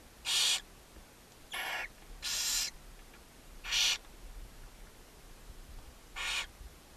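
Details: Five rough hissing bursts, irregularly spaced over seven seconds, from barn owls in a nest box on a chimney in Ságvár, Hungary, May 4, 2024, with the mother owl feeding her seven owlets.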